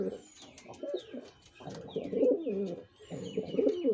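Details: Cooing of a male pigeon in repeated gurgling bouts, each low and rolling with a wavering pitch, separated by short pauses; thin high chirps of other birds sound in the background.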